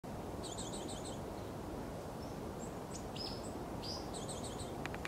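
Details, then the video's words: A Japanese tit calls busily in quick runs of high, thin, paired notes, with a few scattered chirps between, over a steady low rumble of wind or traffic. "シジュウカラ 忙しく鳴く"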